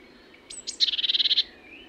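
Eurasian blue tit: two thin, very high notes, then a quick, even trill of about a dozen bright notes lasting just over half a second.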